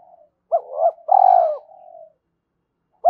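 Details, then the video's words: Spotted dove cooing to spur a decoy bird: a soft lead-in, two rising notes, then a loud drawn-out purring coo that trails into a low murmur, and the start of the next phrase at the end. "cu gay kich boi nhanh noi gù mới nhất"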